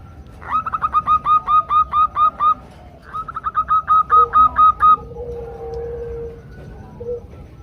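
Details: Several female zebra doves calling to males in a chorus: two quick bursts of staccato repeated notes, about ten each, separated by a short pause, followed by faint low sustained tones and soft background noise.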